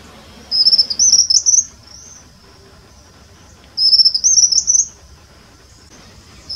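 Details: On a reserve trail at Bom Jardim, southern Uberlândia, Brazil, a resting White-throated Kingbird sings two high, thin twittering phrases of about a second each, rising and stuttering, three seconds apart over a faint low hum.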